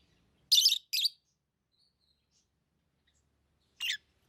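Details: Lovebird chirps: two quick shrill, grating notes early on, then a long silence before one final short chirp.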